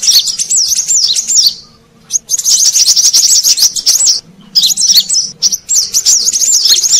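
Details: Brown-throated sunbird sound for luring wild birds: quick high looping whistles in fast runs, a fading trail and silence around two seconds, then more rapid twittering phrases.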